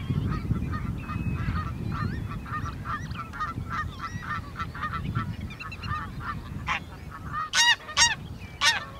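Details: Greylag geese in Uitkerkse Polder, Belgium, in April 2017 keep up a chattering flock murmur of short nasal honks, then several loud harsh honks ring out near the end over a low background rumble.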